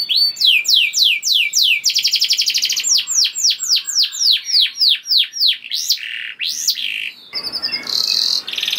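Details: Canary singing to prompt other canaries into song: fast trills of repeated notes, then a series of loud downward-sweeping whistles at about three per second, a few arched notes, and a closing buzzy trill.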